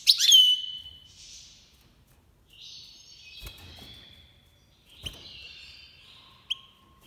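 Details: In the 2022 breeding season, a Goldfinch Major from Iran gives a bright twittering phrase, then long buzzy, wavering tones broken by a few sharp clicks and taps.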